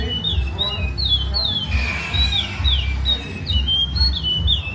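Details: Lined seedeater singing the traditional Maceió song style: a quick series of clear, downslurred whistled notes, some paired, repeating steadily over a low rumbling background hum.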